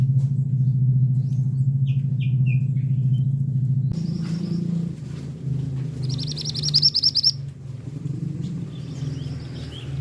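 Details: A male scarlet minivet delivers a short rapid series of high, sharp notes near the end. A constant deep hum fills the background, with a few faint downslurred chirps early on.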